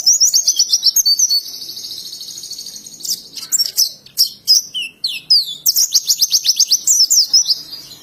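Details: Ngalas-style song of an oriental white-eye in Indonesia: fast repeated high chirps, a sustained buzzy trill, scattered sharp clicks and notes, then another rapid rhythmic series.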